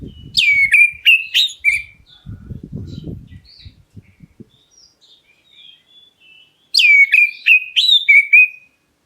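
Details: Black-breasted white-rumped shama singing to entice other birds to respond: two bursts of loud, sharp whistled notes with descending slurs, separated by a few seconds of faint notes and a low rustling noise.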